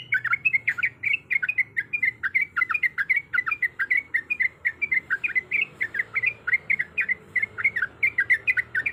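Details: Yellow-vented bulbul, a female in breeding condition calling a male, delivering a ropel-style run: a long, unbroken series of short, bright chattering notes at a fast, steady pace, some notes rising and others dipping, over a faint low hum.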